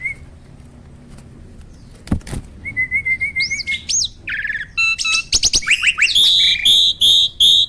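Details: Starling song meant to prompt quiet captive starlings: a brief rolling whistle series, then rising squeals, sharp clicks, buzzy chatter and a closing run of loud, evenly spaced high warbled notes.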